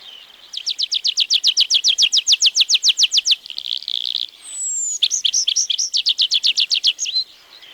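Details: Tree Pipit, a forest bird of Wielkopolska National Park: a fast series of about twenty-five identical high chipping notes, a long descending whistled note, then another quick run of sharp repeated notes.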